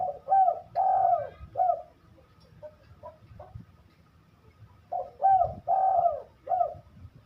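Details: Spotted dove in full song repeating its low cooing phrase twice, a short rising opener, a long mellow middle coo and one or two clipped closing notes, separated by soft scattered notes.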